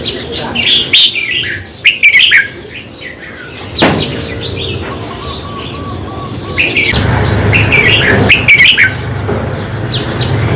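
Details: Red-whiskered bulbul singing, a recording meant to excite caged bulbuls: quick runs of clear chirps and whistled notes, rising and falling, tumbling in dense bursts with brief pauses, against a constant low background hum.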